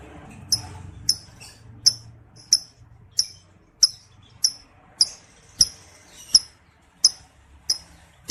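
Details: Male lovebird in breeding condition, from a lure recording meant to spur other males into ngekek trilling: sharp, very high chirps repeated about every half-second to second, thirteen in all, over a faint low hum.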